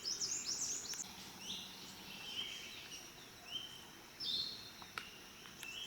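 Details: Black-naped monarch (Hypothymis azurea) calling with high, thin, squeaky notes and short wavering whistles at irregular intervals, over a steady background hiss.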